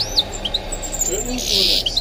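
A goldfinch-canary mule sings high, quick twittering chirps that run into a bright sustained trill near the end, with faint speech in the background.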